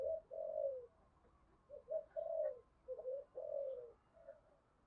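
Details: Spotted dove cooing heard at a distance: a series of soft, mellow coos in short groups over a noisy hiss background.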